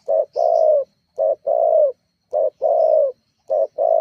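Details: Spotted dove call used as a lure to rouse rival doves into calling: soft, low hooting phrases, each a brief clipped note followed by a longer falling coo, repeated about every 1.2 seconds, with a faint high chirp at the start.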